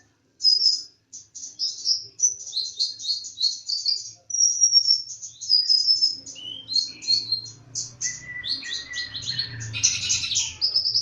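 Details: Sunbird, the kolibri ninja, singing in full voice: a long run of rapid, very high twittering and chirping notes with quick trills, growing busier near the end, with faint low murmur beneath.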